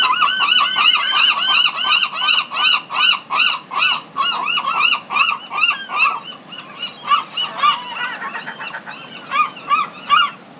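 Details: Gulls in a Pacific coast city giving a long run of loud, arched, nasal calls repeated about three times a second, with other gulls calling more faintly behind them.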